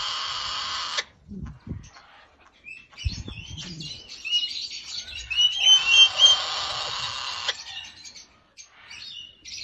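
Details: Red-fan parrot (Deroptyus accipitrinus), call.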